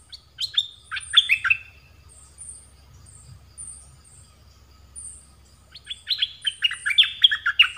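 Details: Red-whiskered bulbul kept as a decoy for trapping wild birds, just after moulting, gives two lively phrases of rapid chirpy, liquid warbled notes, separated by a quiet gap with faint high-pitched whistles behind.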